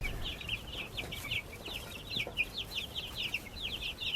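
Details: Baby chicks in a backyard flock peeping steadily, a dense chorus of short high chirps overlapping almost continuously over faint background hiss.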